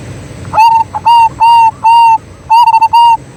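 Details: Zebra dove, local bird, voice used to lure and prompt other doves: rapid series of short, ringing coos, a stuttered triple note near the end, over quiet low hum.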